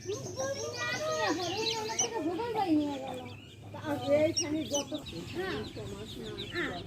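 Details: Hen with baby chicks giving drawn-out, wavering clucks that rise and fall, with faint high chick chirps and a constant low hum.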